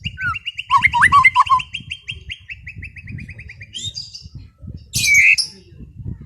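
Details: White-rumped shama singing in a relaxed afternoon ngeplong style: a long, even trill of rapid notes sliding slowly downward, with short looping whistles below it, then bursts of harsh, buzzy high notes, over a low rumble of background noise.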